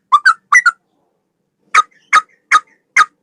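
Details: Sooty-headed bulbul male, tutor song in a straw-headed bulbul style: two paired bubbly whistles, a pause, then four separate slurred notes spaced roughly every third of a second.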